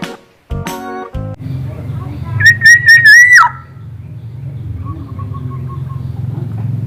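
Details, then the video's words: Local East Javan Black-naped oriole, a bird with many melodious sound variations, delivers a loud, clear, slightly wavering whistle of about one second ending in a drop, after some sharp clicks and knocks, with low hum behind. "KEPODANG LOKAL JAWA GACOR VARIASI BUNYI BANYAK"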